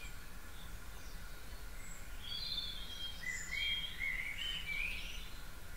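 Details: Dawn chorus in a back garden, 4.30am, 9 April 2018: after two quiet seconds, rapid, chirpy and slurred bird notes run on until the end over constant low ambient noise.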